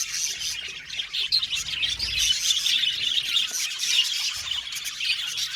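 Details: Australian budgie colony in an aviary making happy chirping sounds: uninterrupted high twittering from numerous birds, a mix of soft warbles and sharper squeaks, with level volume throughout.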